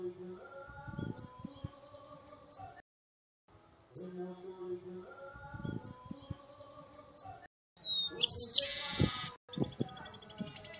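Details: Garibaldi, or papa-arroz, a red-cowled cardinal in spirited ringing song: clear high chirps spaced about a second and a half apart, a brief gap, then an intense bright ringing outburst followed by softer ticks, over low humming noise.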